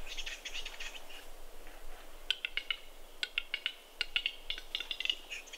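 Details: Western capercaillies brawling at their lek in snowy Kuusamo, Finland, in spring 2021: a rapid rattling run at first, a lull, then a series of loud isolated clicks and short click clusters.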